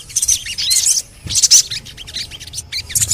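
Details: Crimson sunbird chatter for coaxing silent birds to sing: clustered high twittering bursts separated by short pauses, sharp squeaky notes and quick down-slurred chips, fairly quiet overall.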